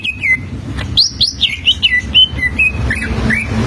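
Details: Greater green leafbird singing as a teaching model for young birds: quick chirps followed by a lively string of whistled notes, rising and falling slurs and a few buzzy trills, with faint low rumble behind.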